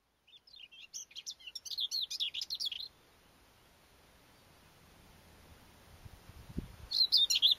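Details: Common whitethroat singing on 29 April 2012: a fast, scratchy, chattering phrase of about two and a half seconds with rapid jumbled notes, then a pause with a low thump, then a second phrase starting.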